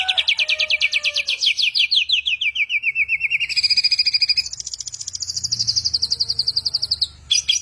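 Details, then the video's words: Bird imitating many sounds gives a rapid rattling trill that descends in pitch, then a higher fast trill gliding gently down, with faint low whistles at the start. "burung jenius 1001 suara,suara cetar"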